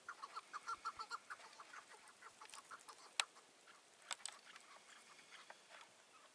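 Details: Chukar partridge at a trap beside a road, morning of 15 March 2020: a quick string of clucking notes over the first seconds, then softer, sparse calls mixed with sharp clicks and handling noises.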